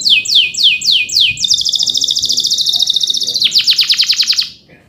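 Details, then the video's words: Male canary delivering its 'ngerol cuit cuit' song, used to prompt young canaries to sing. Five slurred whistles give way to a sustained shimmering trill, then a rapid chattering rattle that fades. "PANCINGAN KENARI GACOR NGEROL CUIT CUIT EMOSI UNTUK MASTERAN KENARI PAUD AGAR CEPAT BUNYI DAN GACOR"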